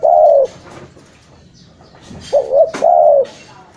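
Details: Spotted dove calling, used for luring: a low hoarse coo, a pause, then a broken two-part coo followed by a longer drawn-out coo; faint clicks in the background.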